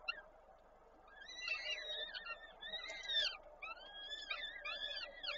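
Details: During a prey delivery at a peregrine falcon nest in Koszalin, Poland on 13 May 2022, the female feeds the young. Quiet start, then a run of rising-and-falling whining calls over a constant low hum.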